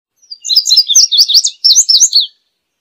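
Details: High, lively indigo bunting song: clusters of paired, slurred chirps rising and falling for under two seconds, with no other sound.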